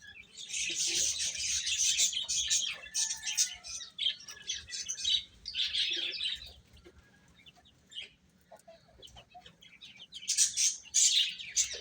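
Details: Baby chickens chirping as they eat: bursts of many high, piercing peeps come in waves, fading to scattered ticks and soft sounds in the middle before a final loud flurry.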